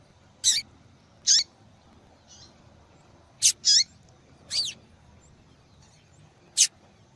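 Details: Female double-collared seedeater calling steadily to excite males; a busy run of high, sharp calls, some sweeping downward and some doubled, and one faint note, on a quiet background.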